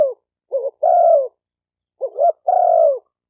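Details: Spotted dove repeating its phrase twice, each a wavering pair of hoots and a long falling coo, about every second and a half.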